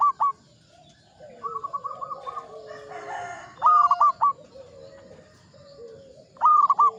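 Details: Local zebra dove, an old bird singing persistently: three bursts of low cooing notes, each a sharp rising note followed by quick stuttering coos, about three seconds apart. A faint softer coo sits underneath, and there is a brief rustle in the middle.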